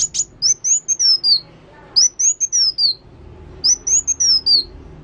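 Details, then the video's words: ['Sunbird known as kolibri wulung in active song. Opening sharp ticks give way to rippling high whistled phrases that descend in pitch, repeated three times with short pauses between.'] "Kolibri Wulung Gacor"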